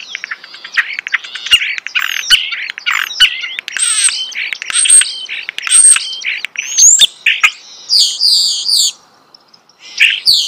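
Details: Loud, close starling song: a continuous jumble of rattling clicks, squeaks and sharp rising whistles, closing with a few separate high squealing phrases after a short silence.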